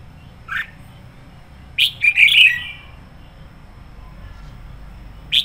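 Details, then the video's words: Decoy red-whiskered bulbul in 'sổ bọng căng lửa' fiery singing, used to train or lure other bulbuls: a short slurred note, then a loud burst of warbled, chattering whistles near two seconds, and another note at the end. "Chào mào mồi hót sổ bọng căng lửa hay nhất 2020"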